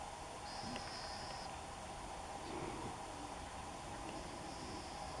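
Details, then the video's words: A Trumpeter finch in Morocco gives two drawn-out, high, nasal buzzing notes, one near the start and one at the end, over a steady hiss of background noise. "Trumpeter finch زمير وردي"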